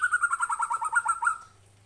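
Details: White-rumped shama singing in response to a lure recording: a quick run of about ten evenly repeated mid-pitched notes, each with a faint higher overtone, then sudden quiet with a low hum beneath.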